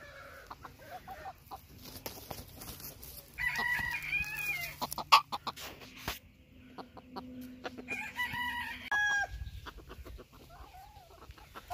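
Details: Bantam Phoenix chicken crowing twice, each a harmonic-rich drawn-out crow that rises then falls, the second a little shorter, with scattered clicks and background noise between them.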